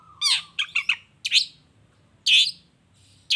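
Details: Long-tailed shrike lure recording meant to make other shrikes respond: loud, rasping, broadband squawks, some doubled, at roughly one-second intervals, after a brief thin whistle.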